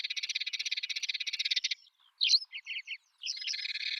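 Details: Eurasian tree sparrows on a songbird training recording: rapid even chirping for under two seconds, then a gap broken by a few separate loud chirps, before the busy chatter resumes.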